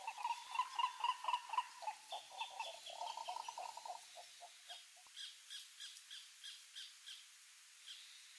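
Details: Green ibis (coró-coró) in the Pantanal, species without sexual dimorphism, giving a fast series of hoarse, mid-pitched notes, about four a second, fading after four seconds into a fainter, higher rattling series.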